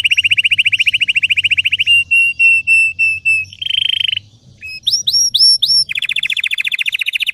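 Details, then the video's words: Red Belgian canary in strong training song: a quick rolling trill, then a slower series of pure whistled notes, a low buzzy burst, a brief pause, high upward-flicked chirps, and a final rapid trill. "Canário belga vermelho canta muito gargata profunda e intensa para treinar"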